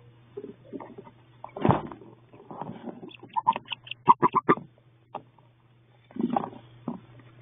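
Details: Hatching wood duck eggs in a nest box, 32 days into incubation: rustling and low grunting sounds, then a quick series of short sharp calls, and further soft rustling afterwards.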